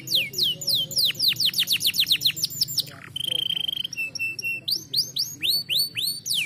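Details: Canary singing a stimulating training song for lazy birds: accelerating rows of high falling whistles, a level buzzy trill near the middle, paired short notes, then upward-curving notes repeated at an even pace.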